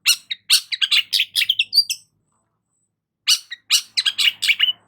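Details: Long-tailed shrike in full song, used to stimulate stressed shrikes: bursts of harsh, scratchy chattering notes with mixed pitches, a silent gap of over a second, then more rapid rasping chatter.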